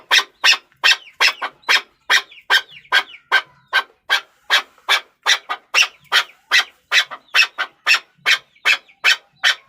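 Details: Steady rasping chuck calls from a chukar partridge, about two and a half each second, with faint thin squeaks between some notes.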